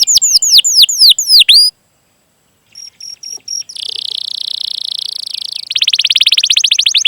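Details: Canary chirping and rolling as a prompt for young or silent canaries. Upswept chirps come first, then a pause, short whistles, a smooth buzzy trill, and finally a fast pulsed roll.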